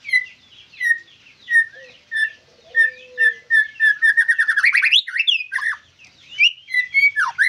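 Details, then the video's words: White-rumped shama song: clear whistled notes repeated about every half second, then a fast rattling trill of rising notes and a few sweeping whistles; quiet background. "MURAI BATU GACORRR FULL DURASI"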